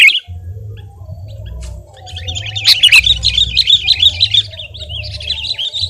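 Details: Sooty-headed bulbul, known locally as kutilang, singing as a tutor recording: a quiet start, then a warbling, fluttering string of rapid high notes, wavering up and down, above a soft droning hum.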